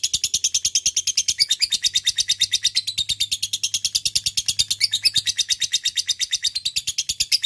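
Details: Lovebird calling a rival with long chatter (ngekek), used as a lure; a dense, continuous stream of scratchy high notes at a fast even pace, with a soft low hum in the background.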